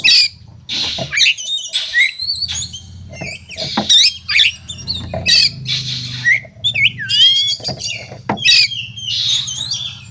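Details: Oriental magpie-robin fighting song used to provoke other birds: loud varied whistles, slurred notes and harsh bursts, broken by clicks and knocks, with a low hum underneath.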